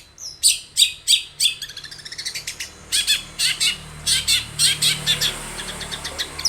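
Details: Energetic long-tailed shrike song used as a lure: rapid series of bright, harsh chattering notes with trill-like bursts, delivered nearly continuously.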